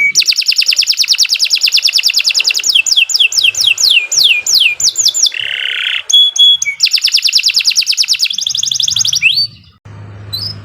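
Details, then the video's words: Continuous 'gacor' canary song offered as masteran: rapid even trills, series of falling sweeps, a coarse buzz and a clear whistle, trailing off into a low hum. "Kicau Burung Kenari"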